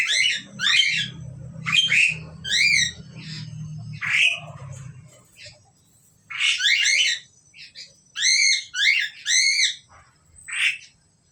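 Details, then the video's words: Pair of Asian pied starlings giving loud, harsh, harmonic squawking notes in doubled and tripled bursts, with short pauses between groups and a low hum under the first half. "sepasang burung jalak suren"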